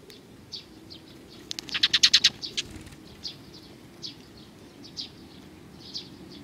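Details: Sparrows at a Tenmangu shrine, Japan, 22 May 2019, give a quick burst of about seven rapid chirps in the middle. Sparse, fainter single tweets follow at intervals of roughly one second.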